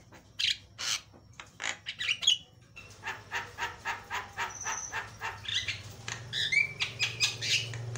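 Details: Varied, loud training lure song of a Javan myna: harsh squawks and chatter in a rhythmic series, a thin sustained whistle and a rising whistle later, over a noticeable low droning hum.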